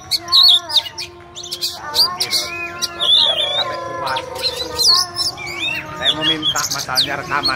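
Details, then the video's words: Fighting song of an Oriental magpie-robin: bright looping whistles and zigzag high notes mixed with harsh chattering fragments, plus a lower wavering tone midway. Soft talking is heard in the background. "Kacer jos tarung ngotot"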